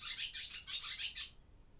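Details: Brief burst of barn swallow twittering in an old barn during daytime, breeding season start: about a second of bright, rapid chirps and squeaks, then quiet.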